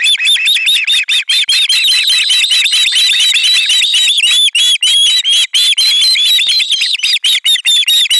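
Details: Fish delivery greeted with loud screaming by several ospreys at a Finnish camera nest, July 2022: an almost unbroken wall of overlapping high, squealing whistles, harsh and frantic throughout.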